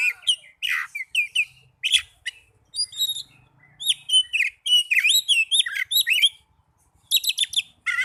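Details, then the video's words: Oriental magpie-robin song aimed at getting caged birds to sing quickly: an energetic, nearly continuous flow of varied whistles, chirps and swooping notes, ending in a rapid stuttered burst. "Pancingan burung kacer agar cepat gacor"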